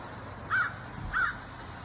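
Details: Crow in a yard, retrieving a cached peanut from a hidden stash; two short, hoarse caws about half a second apart against quiet background hiss.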